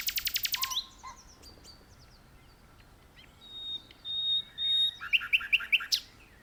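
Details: A common nightingale singing from an open perch in a tree: a fast burst of about eight harsh repeated notes, then high, pure drawn-out whistles and a quick run of sharp chirps.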